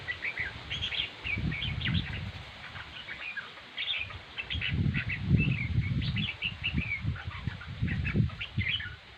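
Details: Red-whiskered bulbul, said to sing very well, delivering a lively run of quick, sharp chirps and short warbled notes repeated in rapid clusters, over repeated low thumping and rustling noise.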